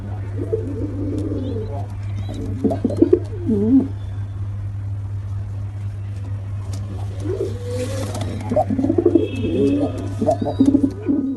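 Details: Male and female pigeons coo in two bouts of low, burbling, throaty notes separated by a quieter stretch of steady hum, with faint rustling and higher chirps near the end.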